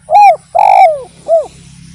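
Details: Spotted dove (derkuku) singing energetically, recorded as a lure to prompt other doves to sing: three loud, mellow coos, each arching up then sliding down, the middle one longest, over a faint low hum.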